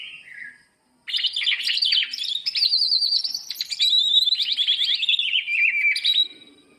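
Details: Leafbird song meant to stir lazy birds into singing, from a greater green leafbird: after a short pause, an extended torrent of high, rapid, mimicking chatter and whistles that gradually descends and ends abruptly.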